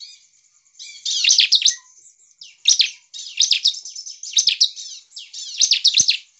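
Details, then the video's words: Bar-winged prinia in full song, used to provoke other prinias into singing: short bursts of buzzy, scratchy chirps with rapid high twitters, repeated in about five phrases over six seconds with brief pauses between. "CIBLEK GACOR ini Cepat memancing ciblek lain langsung ngamuk dan ikut gacor"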